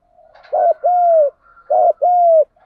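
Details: Spotted dove coos for training doves to answer: two phrases, each a short throaty note followed by a drawn-out, slightly falling mellow coo, in quiet surroundings.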